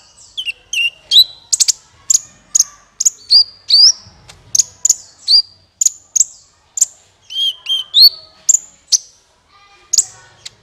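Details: High, rapid sunbird chatter used as a trapping lure, with kolibri ninja notes repeated about twice a second as sharp up-slurred chirps and ticks, sustained throughout.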